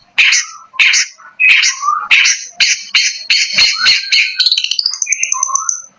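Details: Provocateur song of a cendet, the long-tailed shrike of East Java: coarse, raspy notes spaced about half a second apart that run into a quickening buzzy rattle, ending in a thin, high whistle and two lower squeaks.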